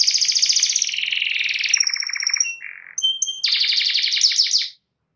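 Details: Canary in full, energetic song, said to set other canaries singing: long rapid buzzy trills, a lower rolling phrase, a few clear high whistles, then another fast trill before the song stops into silence.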